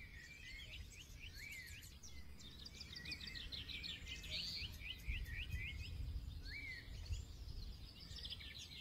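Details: Several songbirds chirp and whistle at once in a forest setting. Fast trills and short rising whistles overlap continuously above a constant low background hum.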